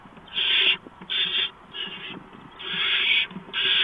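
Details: Barn owl at the nest at 4:26 AM on 6 March 2015 as a mouse is brought in; harsh, hissing screech bursts, each under half a second, repeated five times with short gaps, over faint low rumbling background noise.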